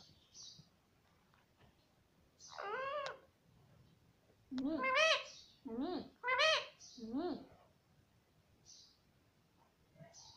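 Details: Pet parrot that talks, saying "mummy": after a quiet start, one rising harmonic call, then a cluster of four or five quick word-like syllables, with faint short high chirps.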